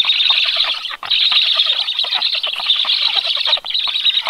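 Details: Black stork chicks at the nest on 21 July at 18:36 beg with dense, continuous high wheezing and hissing during a 14-second feeding visit by the adult male. Two brief pauses and some wing flapping are mixed in.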